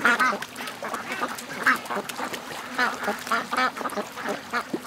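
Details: Over 700 ducks and geese make their morning rush to the lake. Choppy, repeated quacks rise and fall in loudness, with a few sharp ones breaking through the crowded flock noise.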